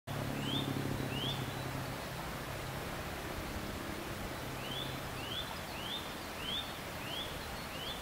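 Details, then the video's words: Eurasian nuthatch singing on 12 April 2015, recorded on a Canon PowerShot SX60 HS near a tree the bird kept visiting, singer unseen; faint short rising whistles, two early then six in steady succession, over a low constant rumble. "ゴジュウカラ "Sitta europaea" の鳴き声（囀り)"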